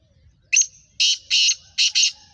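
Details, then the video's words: Black francolin (kala teetar), described as a Gangas Sheedi cross of the Nasal Chakri Wala line, giving its speeder call: one short sharp note, then four harsh, grating bursts in two pairs, all ending within about two seconds. The background is otherwise quiet. "Black Franclion Voice Speeder Kala Teetar"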